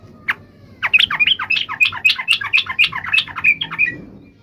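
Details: A yellow-vented bulbul's long fighting song, meant to make other bulbuls reply: a steady stream of quick, sharp, chirping notes, about four per second, over faint background hum.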